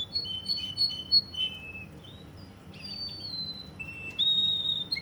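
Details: Russian canary from Kuwait singing: quick repeated chirps, a falling slurred whistle, long sustained whistled notes at different pitches, and a final short rising note.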